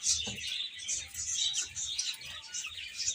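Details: Several chicks eating and playing produce rapid high cheeping, short bright notes overlapping continuously, with a soft low thump near the start.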